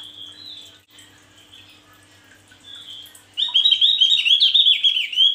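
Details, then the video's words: Male Javan grey-throated white-eye: soft high thin notes at first, then a sudden loud burst of rapid, high twittering and chattering warbles running continuously to the end, with a faint steady hum underneath. "Burung Opior jawa jantan gacor"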